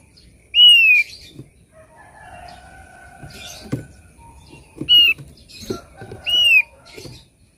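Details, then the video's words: Lure song of a thick-billed white-eye: three loud, clear whistles, each a downward slur, spaced a few seconds apart, over low clattering and rustling handling noises. "pancing bunyi burung opior paruh tebal"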